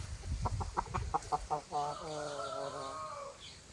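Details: Hens and roosters at a chicken farm: a quick series of about eight short clucks leads into a long, level harmonic crow lasting over a second, with low rumbling noise beneath the clucks.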